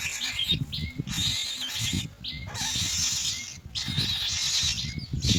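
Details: Young myna waiting in the nest as a parent brings white food pellets: harsh, raspy hissing bursts about half a second to a second long, repeated irregularly, with a thin steady tone and low rustling beneath.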